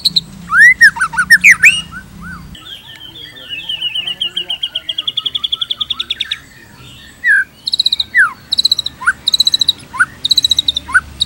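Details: White-rumped shama (murai batu) in full song, offered as a lure and tutoring track for other shamas: loud rising and falling whistles, a long run of rapid buzzy trills, then sharp down-slurred notes and clipped chattering phrases, with a low hum at the start.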